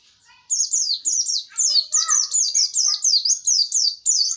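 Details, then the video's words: Pleci, a white-eye, pouring out a fast, unbroken series of sharp, high, falling chirps, about three notes a second, with faint lower twitters beneath. "Burung Pleci"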